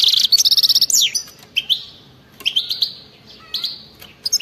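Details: European goldfinch giving crazy batbata wild-type song, aimed at making non-singing goldfinches sing: it opens with a rapid rattling trill and a downslurred note, followed by a series of spaced, rising, liquid twitters.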